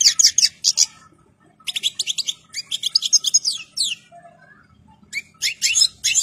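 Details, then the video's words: Goldfinch in full breeding condition and complete plumage gives dense, bright twittering runs mixed with sweeping high notes, delivered in several rapid bursts. "الحسون الاصلي جاهز ومحني ثوب كامل مقطع روعة"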